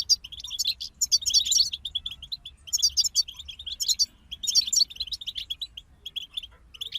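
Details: Goldfinches in a songbird group sing bright, bubbling twitter phrases about a second long, each ending in lower chirps, repeated roughly every second with short pauses between.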